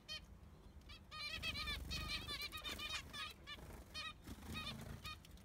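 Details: A new baby zebra finch in an aviary, one of six siblings, with nasal, honking zebra finch calls in a busy, overlapping stream over a low rumble.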